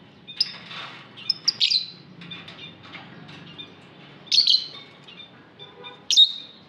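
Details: Lovebird in an aviary giving loud, sharp chirps in bursts, with a thin twittering between them and long quiet gaps.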